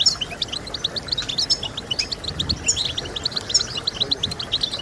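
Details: Goldfinch song meant to motivate birds to sing, with fast tinkling chirps strung into busy twittering phrases, occasional higher sharp notes, a light hiss beneath.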